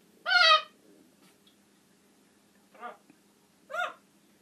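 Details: Pet talking macaw screaming indoors: one loud, harsh squawk with rich layered tones, then two shorter, quieter squawks about a second apart, with a low steady hum in the room.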